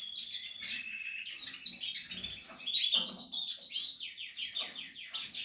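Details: Portuguese harlequin canary during nest building, giving a busy high twittering song of rapid trills and short whistled notes, with repeated downward-sliding phrases near the end; indoors.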